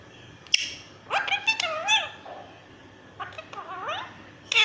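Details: Talking green ringneck parrot at home gives a few quick, wavering, speech-like syllables in two short bursts, with a sharp tap at the start and another at the very end.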